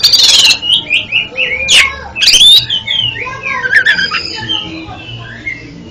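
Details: Oriental magpie-robin song for curing faltering song in another bird: a loud scratchy burst, then varied short whistled phrases with two sharp harsh notes between them, and quieter trailing whistles.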